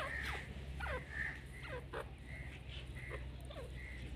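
Grey francolin giving loud, harsh, ringing notes repeated about once a second, each with a quick falling slur, over a steady low hum.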